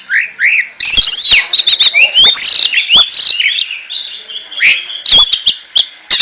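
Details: Oriental magpie-robin (kacer) singing ngentrok style: two short rising whistles, then a long, fast medley of chattering, whistled and trilled notes punctuated by sharp clicks.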